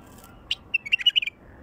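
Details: Wild bulbul song, used to draw in wild bulbuls: one short, lively phrase of quick, liquid, warbled notes with a sharp opening note, under a second long, over a quiet background.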